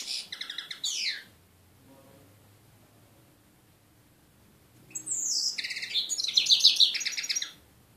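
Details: European goldfinch in Voronezh, Russia, singing two high, rapid twittering phrases of sliding and jingling notes separated by a few seconds of quiet background hum.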